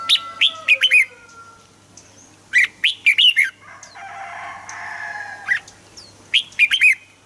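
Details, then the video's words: Red-whiskered bulbul song played to stir birds into singing: short bright chirpy phrases of quick rising-falling notes in bursts, with pauses and a softer buzzy chatter between, plus faint other birdsong behind. "เสียงนกกรงหัวจุก สำหรับต่อ หรือ เปิดให้นกคึก"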